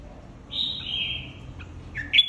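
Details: Caged red-whiskered bulbul flock leader in competitive singing: a sustained clear whistled note held for about a second, then a short sharp rising phrase at the end, over low background hum.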